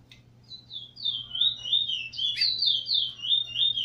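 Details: In Trinidad in 2018, a brown chestnut-bellied seed finch "nurser" sings against a tutor bird: a fast, continuous stream of sweet, warbled whistles sliding up and down in a high register, over a low steady hum.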